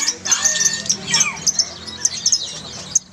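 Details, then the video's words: Lovebirds calling en masse, a lure for a silent lovebird: thin, high chirps spaced irregularly, with some lower, sliding squeaks among them. "SUARA LOVEBIRD OMBYOKAN - PANCINGAN LOVEBIRD MACET BUNYI"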